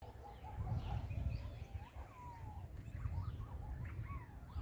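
Yellow-footed green pigeons give soft, mellow whistles that slide and wobble around a middle pitch, over a steady low rumble of wind or traffic.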